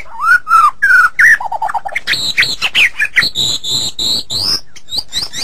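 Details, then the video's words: White-rumped shama singing in a training recording for songbirds: mellow downslurred whistles, a quick low trill, harsh chattering notes, then high thin whistles and sharp squeaky chips. "Masteran Suara Murai Batu"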